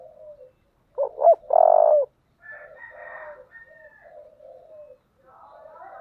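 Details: Spotted dove with a deep 'thổ' voice, urging and calling. A loud phrase of two clipped notes and a long buzzy coo, surrounded by softer wavering coos and a higher drawn-out note.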